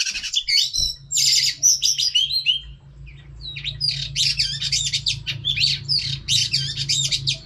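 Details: Female Oriental magpie-robin song for training and stimulating male birds: dense bursts of high chirps, trills and twisting whistled phrases over a steady low hum throughout, with a short quieter gap near the middle.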